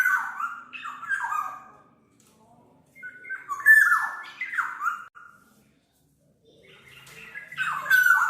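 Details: Black-naped oriole calling with paired rasping, falling nasal notes, a pause, another pair of louder downslurs, then a rising harsh note at the end.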